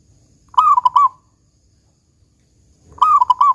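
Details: Local zebra dove (perkutut), a vigorous singer with a big 'kung' voice, used as a lure to make other doves sing: two short mellow cooing phrases, each a sliding note followed by quick bubbling coos, about 2.5 seconds apart.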